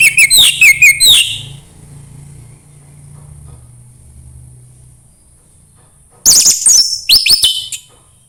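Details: Orange-headed thrush singing 'suara embun pagi', meant to coax a bird into song: a fast series of sharp whistled notes, a long quiet gap, then a second busy, warbling phrase.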